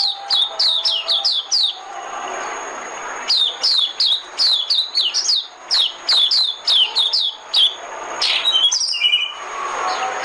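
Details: White-eye decoy song of crisp, high, down-slurred chirps in quick series with short breaks. Near the end come harsher, lower twittering notes, over a faint hiss and a thin constant tone.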